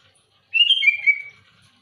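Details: Sooty-headed bulbul delivering a loud challenge to rival birds: a brief bubbling phrase of three or four slurred whistles that drop in pitch, followed by quiet.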